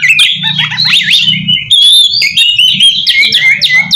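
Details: Oriental magpie-robin song used as a lure for wild magpie-robins: fluid, warbling whistles with rising and falling slurs. A low droning hum sits underneath, mostly in the first half.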